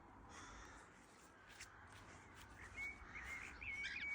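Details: Cockatiel gives brief, thin whistled calls over a steady background hiss.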